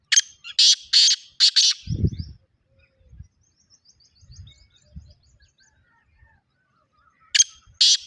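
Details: Black francolin in the morning giving its harsh, grating call phrase of several loud bursts, then a quiet pause with soft low thuds and faint distant chirps before the rasping phrase starts again.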